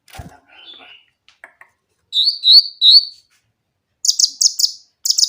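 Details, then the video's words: Grey-cheeked bulbul singing clearly to prompt reluctant birds. Faint soft notes open, then three loud high whistled notes and bursts of rapid, sharp chipping. "cucak ranting gacor suara jernih untuk pancingan yang susah bunyi"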